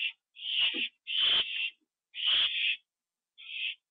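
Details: A pair of owls returned to their nest, filmed on a live nest camera at 7:08 PM on September 27, 2011. Loud, rasping, drawn-out screeches repeat in close succession, with silence between them.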